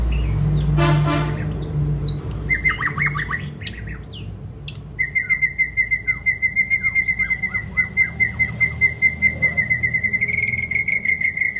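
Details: White-rumped shama used for voice training and stimulating long song; a rapid buzzy burst, quick falling notes, then a long pulsed whistle held on one pitch for several seconds, rising slightly at the end.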